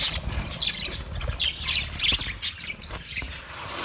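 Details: Budgerigar sounds from 29 February 2024: separate sharp squawks and chirps in short bursts, some scratchy, others thin and whistled, with brief gaps between and low background noise.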